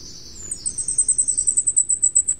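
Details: Flamecrest, endemic to Taiwan's mid-to-high mountains: thin, very high notes, first a drawn-out hiss-like tone, then a rapid string of about a dozen needle-sharp notes over two seconds; faint low background rumble.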